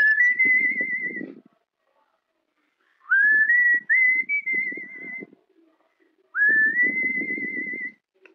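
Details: Pet cockatiel trained to whistle the melody of Wind of Change by Scorpions: three clear rising-then-level whistled phrases with gaps between them, accompanied by low rustling or murmuring sounds.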